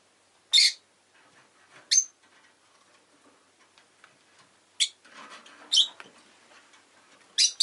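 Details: Shrill, piercing single chirps from pet rosy-faced lovebirds, one an orange bird recorded shortly before its death, spaced a second to three seconds apart over soft background rustling and distant town noise.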